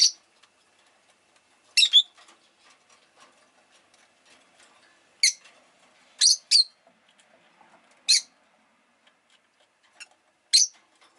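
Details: Rosy-faced lovebird kept as a pet, repeating short shrill harsh chirps, singly or in quick pairs, every one to two seconds, with faint clicks and rustles between.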